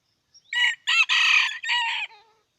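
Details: Red junglefowl from Aceh crowing: one harsh, broken crow of several loud segments lasting under two seconds, ending in a short, falling, tailing note.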